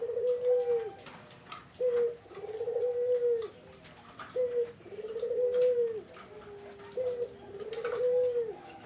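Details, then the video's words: Barbary dove cooing as a lure for zebra doves, a brief low note then a drawn-out, even coo that fades at its end, repeated three times in steady succession over light background noise. "SUARA BURUNG PUTER BUAT PANCINGAN BURUNG PERKUTUT"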